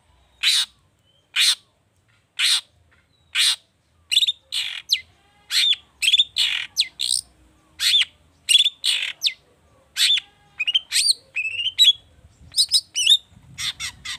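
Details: Long-tailed shrike in excited song used to prompt other birds to sing, rich with mimicked phrases: sharp, harsh notes about once a second, then faster varied chattering and squeaky whistled phrases.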